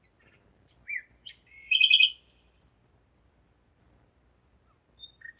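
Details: In the darkness of Zeitz, Germany, at 01:55 on 5 May 2017, a nightingale delivers varied whistled notes then a loud rattling trill of rapid repeated notes, followed by quiet and two soft notes.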